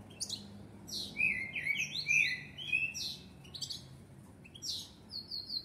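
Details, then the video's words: Common blackbird singing, mixing warbled phrases with high, thin twittering notes that come in bursts. The recording is fairly quiet, with a low background hum throughout. "طائر الشحرور يغرد تغاريد جميلة"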